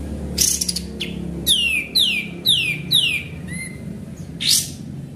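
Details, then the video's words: Lively sooty-headed bulbul, used as a lure recording: a run of four quick descending whistled sweeps, then a short low slurred note, bracketed by harsh high bursts, with a faint background rumble. "Pancingan Burung Kapas Tembak Gacor"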